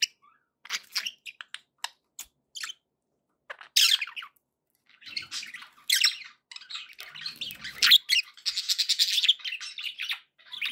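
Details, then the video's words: Pet budgerigars, played to keep other pet birds company: scattered sharp chirps and short squawks, then a dense run of bright warbling chatter with quick repeated notes near the end, indoors. "budgie sounds"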